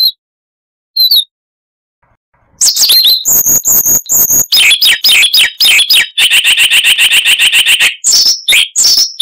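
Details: Siberian rubythroat, a small insect-eating songbird whose chattering song varies widely, starting with two isolated notes, then launching into a dense, rapid sequence of scratchy, buzzy and whistled notes repeated in quick runs, with noise reduced.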